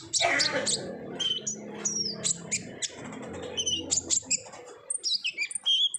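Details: Olive-backed sunbird lure in 'ngobra' style song: lively high twittering and chirped notes, some slurred downward, with low background rumble early on and clear rapid chips near the end.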